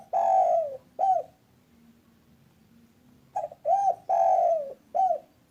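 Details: Spotted dove of local stock, kept as an active caller to lure others. It ends one coo phrase, goes quiet for about two seconds, then gives a full four-part coo that swells, drags downward and closes with a clipped note.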